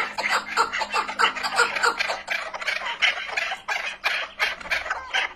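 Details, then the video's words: Chukar partridge clucking in a steady series of rough, gravelly notes, evenly loud with short pauses between clusters. "keklik sesi"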